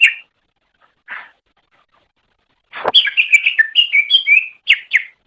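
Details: Green leafbird (cucak ijo) in chattering master song: a few isolated chirps, then a sharp click and a fast run of bright, slurred whistles with varied pitch.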